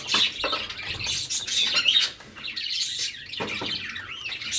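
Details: Feeding cockatiels kept in a village, chirping busily: dense overlapping high tweets and brief whistled notes, with a short lull around the middle before chatter resumes.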